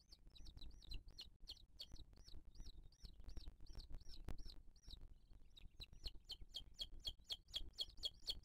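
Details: Booted eagle nest in 2023, the female feeding the chick: a long run of arched high whistles about four per second gives way to sharper, louder piping notes toward the end.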